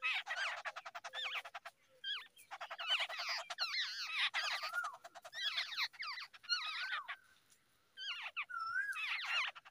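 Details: Early-morning feeding of babbler young, with near-continuous harsh chattering and wavering, buzzy calls from several birds, broken by a brief lull.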